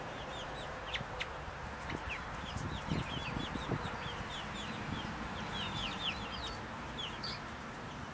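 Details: Brood of four-week-old Buff Brahma chickens keeping up a busy chorus of high, brief, falling cheeps over a steady hiss and occasional low knocks.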